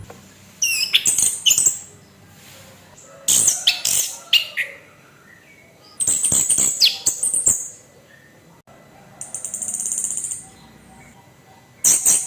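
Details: Orange-headed thrush kept in a cage delivers a rough, provoking 'kasar' song: short, shrill bursts of jumbled high notes come in clusters with pauses between them, and a softer sustained rasping phrase follows near the end.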